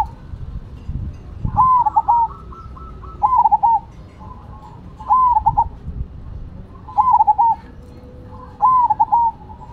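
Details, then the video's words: Perkutut (zebra dove) of the Cemani and Silver types singing: five loud stuttering coo phrases about two seconds apart, each a clipped whistle followed by rolling notes, with faint softer notes between them. "Perkutut Cemani Gacor Vs Silver Gacor"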